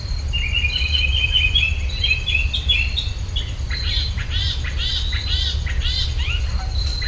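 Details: Wild birdsong in rural Virginia, taken with a stereo pair of ultrasonic microphones: a run of quick repeated chirping notes, then louder sharp descending slurs stacked close together, over a steady low rumble.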